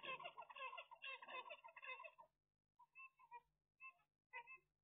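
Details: Zebra finches, recorded on 16 March 2022, give about two seconds of dense, overlapping nasal chattering. Several short, separate nasal notes follow after a pause in a quiet room.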